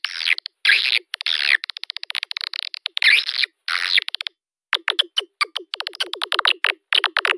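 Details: Swiftlet lure call: several raspy twittering bursts with fast rattling clicks between them, a short pause, then a quick train of sharp separate clicks.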